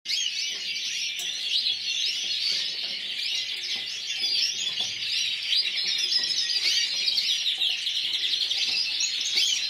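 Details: Yellow frosted lipochrome canary, individual runner-up at the Burgos 2014 competition, delivering a continuous high warbling song of rapid trills and chirps, steady in loudness, with faint low background murmur.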